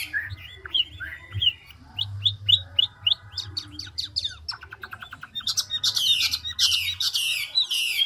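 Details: Large, mature wild-caught Chinese hwamei (Garrulax canorus) singing with constantly changing voice: a fast, varied run of loud whistles, slurred notes and rapid chattering phrases, shifting pitch and pattern every second or so.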